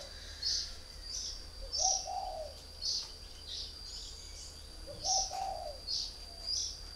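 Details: Caged three-year-old decoy spotted dove from northern Vietnam gives two low, soft cooing phrases. Brighter, short high chirps recur throughout, along with a steady high-pitched tone.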